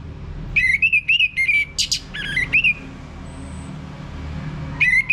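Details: Orange-headed thrush lure song from North Bali for prompting a male to sing: a rapid run of clear, wavering whistled notes, a brief harsh burst, then more whistles, a pause, and another whistled run, over faint low hum.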